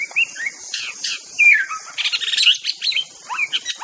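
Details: Aceh white-rumped shama in a master song recording, delivering a rapid varied song of short whistles, downward slurs and dense bursts of high chattering notes with few gaps.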